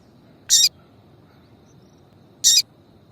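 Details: Female double-collared seedeater calling to rouse males: two loud, short, high chip notes about two seconds apart against a quiet background.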